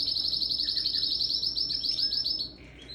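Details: Canary kept as a pet, recorded December 17, 2021, singing powerfully: a bright, sustained high rolling trill of quick even pulses lasting over two seconds, then a brief quieter tail of softer notes.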